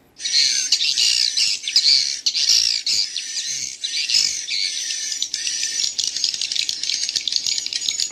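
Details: Swiftlet chicks chatter continuously for about eight seconds: busy, high-pitched chipping and twittering notes that are loudest at the start and then pulse unevenly, with larger adult swiftlet sounds mixed in.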